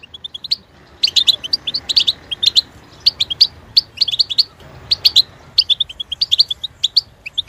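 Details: Goldfinch song from a caged European goldfinch: clusters of sharp high chirps and buzzy twitters in short phrases separated by brief pauses, steady throughout.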